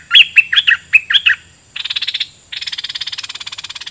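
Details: Red-whiskered bulbul decoy bird, caged, singing repeatedly at wild birds; loud bright whistled notes in a quick phrase, then two harsh rapid rattling bursts that speed up toward the end.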